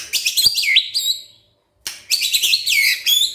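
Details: White-rumped shama replying after being provoked, two dense bursts of high, buzzy, twittering phrases separated by a short silence.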